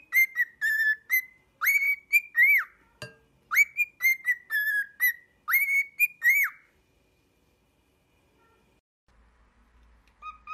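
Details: Whistled cockatiel song used to teach a pet cockatiel to sing: rapid bursts of clear, harmonic-rich whistles, some arched, for about six seconds, then near silence with a faint low rumble and two soft notes at the end.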